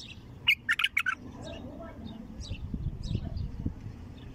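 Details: Wild bulbul, untrained, opening its heavy throat: one fast phrase of four or five loud, liquid, gurgling notes at the start, followed by soft background murmur and low noise.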